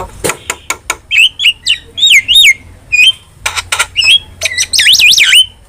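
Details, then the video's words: Starling in full 'gacor' chatter for training caged birds: sharp clicks open, then clear wavering whistles that slide up and down, broken by rasping bursts and finishing with a loud warbled whistle. "OCEHAN JALAK GACOR | Masteran Dan Pancingan Yang Cocok Untuk Burung Jalak Anda"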